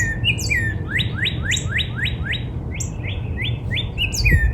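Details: Northern Cardinal song in spring in a backyard: clear whistled slurs, a quick run of rising notes, then a series of falling ones, about four per second, over a low background rumble.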